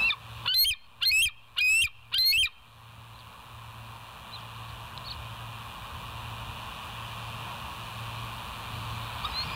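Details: Bald eagle at the West End nest, recorded by a live nest camera, giving four loud high chattering notes in a quick series, each with squealing overtones, about half a second apart, then a steady hiss of wind and background noise.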